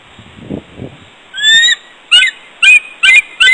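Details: Female bald eagle trumpeting from a rock at the West End at 6:41 a.m. on 29 January 2014, calling her mate to join her for pair bonding: loud, high, chattering squeals repeated in a series, after faint low knocks.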